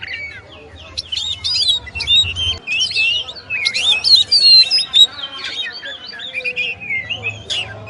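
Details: Kacer, the oriental magpie-robin, in full song as a master recording: jumbled scratchy chatter and thin whistles building to a loud varied burst, then fading into softer notes; faint low hum beneath.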